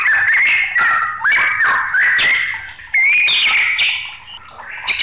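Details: White-rumped shama singing in a raging, agitated mood: loud, rich whistled phrases that jump between pitches, each held briefly and then broken by short buzzy notes, with little pause between bursts.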